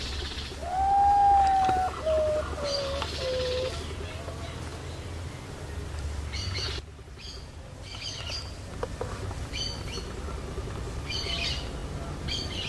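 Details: At midnight, urutau (Common Potoo) whistles a descending run of three or four notes early on, followed by noisy night ambience with scattered high chirps and clicks.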